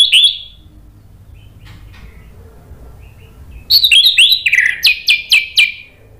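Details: Singing orange-headed thrush whose song is used to coax rivals into responding: an opening whistled phrase, a pause, then a loud run of quick repeated descending whistles gathering pace before stopping.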